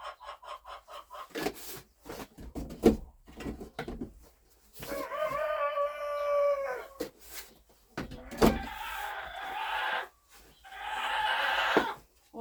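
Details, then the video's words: A hen in a yard in March, after an overnight snowfall, gives several loud, drawn-out, harsh squawks, each lasting a second or two, as one hen climbs onto another to lay; brief speech and sharp clattering knocks between. "чуєте кричить це одна курка лізе на іншу нестися"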